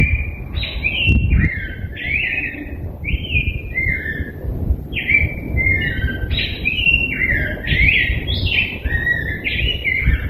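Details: Rose-breasted grosbeak singing a long, continuous run of rich, warbled whistled phrases, each slurring up and down, delivered almost without pause over a steady low rumble of background noise.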